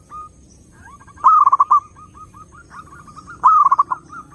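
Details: Zebra dove singing for luring other doves. A gentle string of evenly spaced soft coos leads into two loud bursts of rapid, stuttering cooing notes about two seconds apart.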